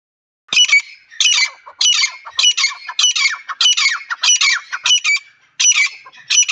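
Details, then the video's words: Partridge (teetar) calling: loud, harsh, buzzy high-pitched bursts repeated rapidly, roughly two per second, about eleven in a row with short gaps and no other clear sounds. "teetar ki awaaz"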